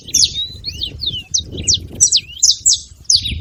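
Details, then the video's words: Noisy group of saffron finches at a feeding spot, giving bright, high chirps and quick slurred notes in irregular bursts, several birds overlapping, with faint low rumbling underneath. "Canarinhos fazendo barulho na seva"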